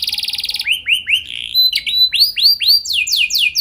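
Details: Canary lure song used to get canaries singing long rolls: a quick fine trill at the start, then varied slurred and arched whistled notes delivered at an uneven pace.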